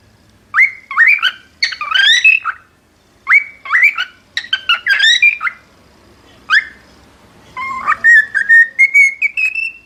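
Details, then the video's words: Repeated cockatiel phrases: upslurred whistles broken by scratchy, buzzy notes in grouped bursts, then a long run of short whistles that climbs steadily in pitch toward the end. "شاهد اروع غناء من طيور الكوكتيل خرافي"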